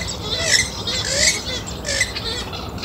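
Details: Western swamphen calling in the wild: harsh, squealing, slurred notes in overlapping bursts about every half second, with a steady low background rumble throughout.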